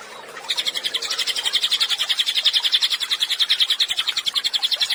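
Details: An active Cililin recorded to tutor songbirds. A faint start gives way to a brisk, high-pitched trill of repeated short notes, about three or four per second, growing stronger toward the end.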